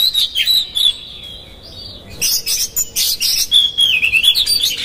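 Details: Oriental magpie-robin in energetic lure song aimed at agitating rival magpie-robins: a long wavering whistle, a pause, then rapid scratchy chatter over a warbled whistle that twists up and down.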